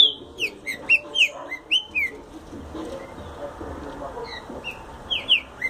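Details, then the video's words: Green-winged saltator singing: short clear whistled notes, several sliding downward, given in quick bursts with gaps, over a soft background murmur. "Trinca Ferro Explosão 💥 rápido"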